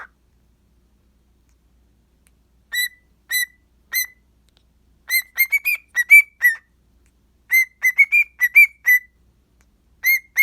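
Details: A pet cockatiel, having a morning sing and talking to itself, whistles bright, clear notes in short bursts, some rising and falling, against a quiet background.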